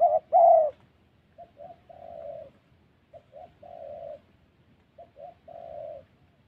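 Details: Spotted dove cooing in the 'thổ' style in the wild forests of Vietnam's Central Highlands during decoy trapping. A loud doubled coo opens, then softer, more distant phrases follow. Each has two short notes and one longer drawn coo, repeated three times.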